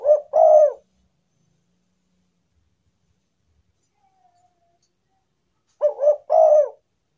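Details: Spotted dove coos played as a lure for wild doves; a three-part phrase, two short coos then a long one, opens the stretch, a long quiet gap follows, and the same phrase repeats near the end.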